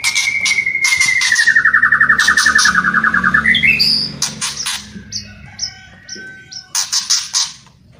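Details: White-rumped shama song with kretekan and whistling: a long sliding whistle descending slowly into a trilled warble, then rising sharply, framed by harsh rattling bursts and short high whistled notes.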